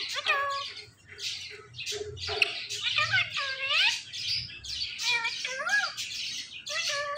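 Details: Pet talking parrots, a pair, giving a busy run of chattering, speech-like sounds mixed with rising and falling whistled notes and short squeaks, continuous over several seconds, with faint background noise.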